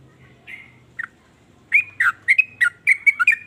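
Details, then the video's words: Sooty-headed bulbul (trucukan) singing in a way said to set off other bulbuls; a few soft separated notes, then spaced, clear, slurred chirps about every quarter second over faint low hum. "ber macam" suara trucukan ini bikin trucuk lain iri jadi langsung ikut bunyi"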